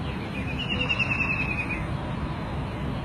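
White-throated Kingfisher gives a rapid, high rattling trill that falls slightly over about a second, over a steady low rumble of background noise.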